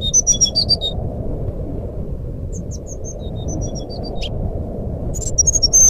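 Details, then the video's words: Fluting (nyuling) song of a brown-chested jungle flycatcher, played as a lure to get silent birds singing. Bursts of sharp, high whistles open and close the passage, with softer scattered notes between, all above a constant low hum. "suara burung sikatan rimba nyuling pancingan SRDC macet bunyi"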